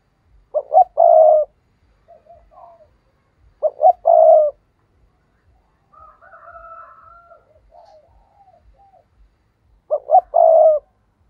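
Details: Decoy spotted dove calling to draw in wild rivals: three stuttered coo phrases, each closing on a long note, spaced about four seconds apart, with soft murmurs and a faint higher whistle between them.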